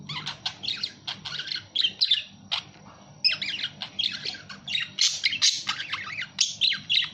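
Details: Budgerigar chatter: rapid high chirps mixed with harsher squawky notes, a short lull near three seconds, then livelier, louder warbling; low hum underneath.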